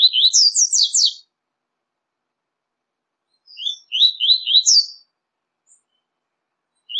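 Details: Double-collared seedeater song, one of five different songs used to stimulate kept birds: bursts of fast, high twittering notes about a second long, separated by silent gaps of several seconds.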